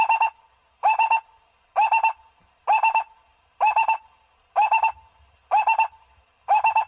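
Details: Barbet, recorded for luring birds, giving a steady series of three-pulsed low notes, each burst repeated roughly once a second in a very regular rhythm.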